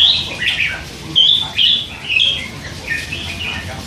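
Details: Three-month-old hand-fed red-whiskered bulbul, caged, chattering with song fragments: clear whistled notes and quick slurred warbles in a run of phrases, slight background hum.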